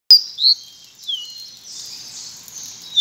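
Pearly-bellied Seedeater singing: a few high, clear slurred whistles, then a thin, buzzy, high-pitched trill; nothing else is heard.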